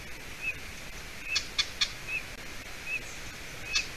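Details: Golden eaglet in Latvia on a June evening, hatched in early May, while the adult female delivers roe deer hide at the nest. Sparse high whistled peeps mixed with a few sharp clicking sounds from nest activity.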